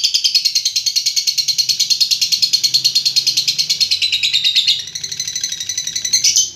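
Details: Lovebird giving a long ngekek trill: a continuous, rapid, high, chattering series of notes pulsing about three times a second for nearly five seconds, dipping briefly, then resuming.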